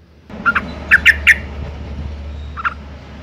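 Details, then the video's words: Female sooty-headed bulbul in breeding condition calling to lure males into singing: four short, harsh, squawky chattering notes close together, then one more after a pause, over a low steady hum. "suara panggilan burung trucuk betina gacor birahi"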